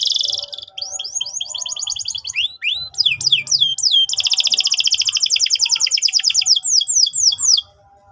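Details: Lively canary singing as a training lure for young canaries. Fast repeated slurred sweeps give way to a long, loud, rapid rolling trill lasting several seconds, with a faint low murmur behind.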